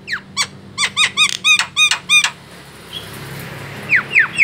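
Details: White-eyed Javan myna lure sound for attracting other birds: a rapid series of chattering, bell-like down-curved notes, a pause, then three short falling squeaks.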